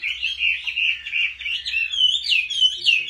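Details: Chinese hwamei singing competitively, a bird being trained at home: a fast, continuous run of loud whistled and warbled notes near one pitch band, with quick rising and falling slurs and no pauses.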